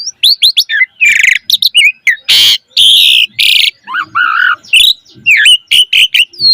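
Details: Asian pied starling in full, lively song rich in varied phrases, played as a lure to train other starlings; quick chirps and whistled slurs mixed with harsh buzzy bursts and rattling notes, closely packed with short pauses, no other sounds.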